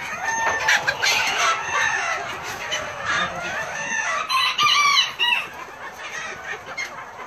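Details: A flock of self blue Old English Game bantams giving overlapping clucks, squawks and crow-like calls, busy and irregular, with a louder burst of harmonic calls near the middle and softer clucking toward the end.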